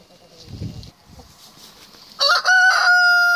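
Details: A red junglefowl (Gallus gallus) cock in Garden Viskyar, sole survivor of its brood, bursts into a loud, ringing, harmonic call after two quiet seconds of faint low rumble, held steady about a second.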